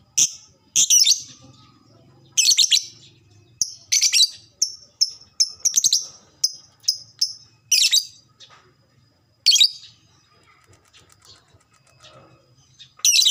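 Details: Lovebird ngekek, the long chattering that hobbyists prize in fighter birds, played to prompt a fast response: loud raspy high bursts alternating with quick runs of thin chips, irregularly spaced, with pauses and near silence between.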